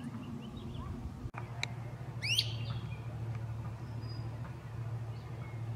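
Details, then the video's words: Great crested flycatcher calling among forest treetops: a single loud, sharply rising whistled wheep with bright overtones, preceded by faint thin notes from other birds over a steady low hum. "Echoing Great Crested Flycatchers"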